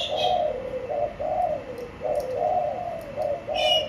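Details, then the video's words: Short burst of low, rounded cooing from a caged spotted dove, notes falling slightly, with a couple of faint high chirps from another bird at the start and end. "Bổi Nổi Đít Lồng Xanh Dương"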